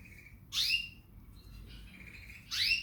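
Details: Canary singing: a soft level whistle, then a loud buzzy sweeping burst, quieter warbled notes and a second loud buzzy burst, over faint low background noise.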